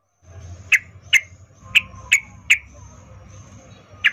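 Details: Sooty-headed bulbul, female calling to a male in arousal: six single sharp clipped notes spaced roughly half a second to a second and a half apart, with faint low rumble between them.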